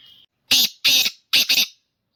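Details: Caged black francolin (kala teetar), described as a 'speeder' chakri wala bird kept as a hobby, singing three harsh, grating, buzzy notes in quick succession, the last one doubled, with no other sounds.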